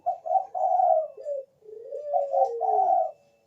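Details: Bangkok-type zebra dove, song used as a lure for other doves: a continuous run of soft, mellow coos, some held and wavering, others short, rising then falling slightly across the phrase.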